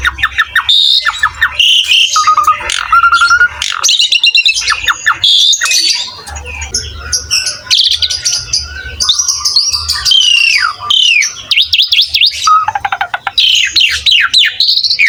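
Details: Vocal Asian pied starling in full song: a long, busy run of chattering notes, sliding whistles and short buzzy bursts with brief pauses between them, over a faint low hum.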